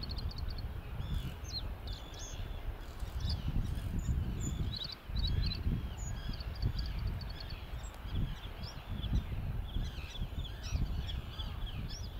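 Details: A Bluethroat, a migrant on the Isle of May, Fife, in May 2019, sings a fast, varied run of high chirps, clicks and ringing notes, partly buried under a steady roar of wind.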